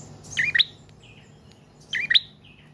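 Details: Two separated chirped phrases, each a fast rising and falling double note, from a trotol or paot prinia, a persistent singer used to lure and tutor cage birds.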